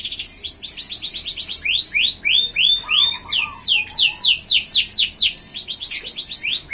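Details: Lively F1 canary song, fast trills of high sweeping notes repeated in rhythmic series, with a brief low warble in the middle and dense, unbroken delivery.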